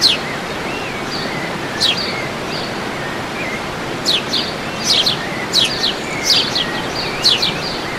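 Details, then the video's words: Birds calling at El Salto, Oratorio Santa Rosa, amid continuous rushing background noise; sparse soft whistled notes early, then a run of sharp high downswept chirps in quick succession during the second half. "SE ESCUCHA EL CANTO DE LOS PAJAROS"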